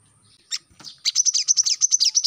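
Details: Brown-throated sunbird song for training captive birds: a couple of scattered notes, then a quick run of high, slurred chips.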